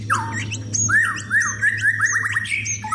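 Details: White-rumped shama in its sunbathing session, prepared for singing contests: a downslurred whistle followed by a linked series of quick warbled notes at a steady pitch, and scattered high squeaks.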